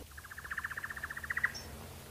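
A Thrush Nightingale's song phrase: a fast, dry rattle of about twenty identical mid-pitched notes that swells in loudness, then ends on one thin high note.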